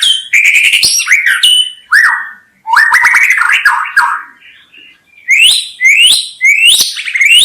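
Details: White-rumped shama pouring out bright whistled phrases with rapid chips, a short quiet gap, then three upswept high notes repeated in a row.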